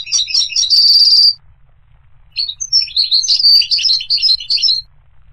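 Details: Goldfinch twittering that opens with a bright, buzzing trill. After a pause, a longer phrase of varied, rapid chirps follows.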